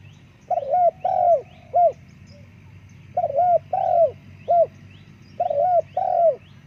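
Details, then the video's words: Spotted dove cooing, low mellow phrases of two or three notes, the last drawn out and falling, repeated in groups about every two seconds; faint high chirps from another bird sound in the background. "Terkukur Suara bagus"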